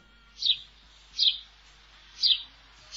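House Sparrow giving four short, bright chirps spaced roughly a second apart over a quiet background.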